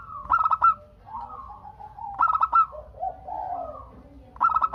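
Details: A local zebra dove (Geopelia striata), used as a lure to get other doves calling back, gives soft, rapid staccato coos in bursts about every two seconds, each followed by a lower rolling, purring trill; faint background rumble.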